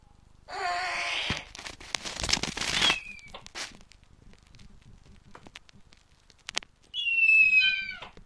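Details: Snowy owl nesting in a captive breeding enclosure, giving a harsh hissing screech and then a drawn-out squealing call that slides downward with harmonics. Crackling rustles and clicks fill the gap between the calls.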